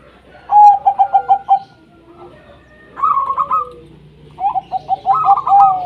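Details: Local wild zebra dove song meant to spur quiet doves: a fast train of bright pulsed coos, then a higher rolling phrase, then another mixed burst where two voices overlap.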